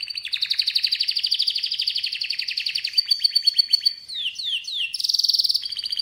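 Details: Beautiful chirping of a canary: a long rapid rolling trill, then swooping downward whistles and a fast bright trill to finish, loud and clean with no other sounds.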